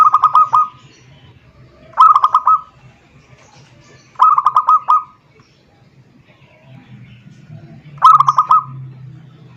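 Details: Zebra dove singing to call a rival, used as a lure: four bursts of rapid, rolling coo notes, each about half a second long, repeated roughly every two seconds over a steady low hum.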